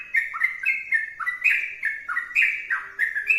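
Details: Brisk sooty-headed bulbul song of clear, falling-and-rising whistled phrases in quick bursts, over a faint low background tone.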